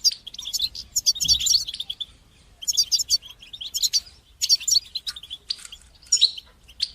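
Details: European goldfinch song in bitbata and sitsata styles for teaching chicks to sing; long, crowded sequences of jingling, metallic twitters and buzzy trills with brief gaps between phrases.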